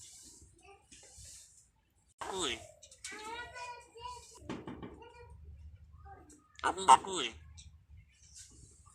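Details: A talking common myna imitates rural Bengali speech, phrases like "have you eaten rice?" and "where is sister?", in short, voice-like bursts of a few syllables, with faint room noise and soft knocks between them.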